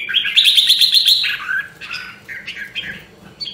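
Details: A red-whiskered bulbul of the rare Nam Dong, Hue line trains its voice. It opens with a fast trilled run of repeated notes, then a dipping slurred whistle and several shorter chirped phrases trailing off.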